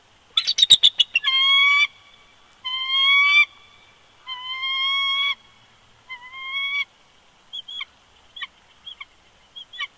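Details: Pair of bald eagles duetting at a winter nest, Big Bear Lake, California, February 2020, live camera; a quick burst of clipped chips, then four long harmonic squeals that gradually shorten and trail off into soft isolated notes.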